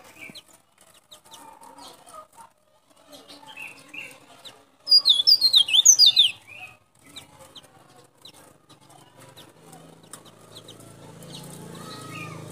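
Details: Local white-breasted white-eye from Baubau, Buton, Sulawesi, singing loudly, used to lure wild white-eyes: a short burst of high, quickly descending whistled notes in the middle, with faint chirps and soft background noise before and after.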